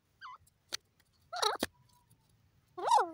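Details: Desi teetar, a francolin, calling: short bent nasal notes, one high and falling early, then a louder pair, and a strong wavering note at the end, with scattered clicks between.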